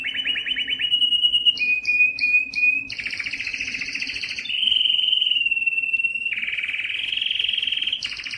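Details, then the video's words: Yellow canary singing: long rolling trills and sustained tonal notes around the middle-high range, with short repeated upslurred whistles, pitch shifting between sections and fast buzzy rolls throughout. "yellow canary singing"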